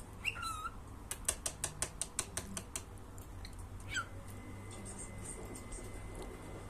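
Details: A talking cockatiel in Iran gives falling whistles, a run of sharp clicks, and a long steady whistled note.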